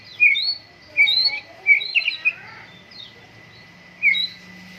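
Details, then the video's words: Morning dew airing of a white-rumped shama singing vigorously: a few loud, high whistled phrases spaced about a second apart, with short pauses between them and a faint continuous hum. "MURAI BATU GACOR, PROSES BURUNG MURAI PENGEMBUNAN PAGI"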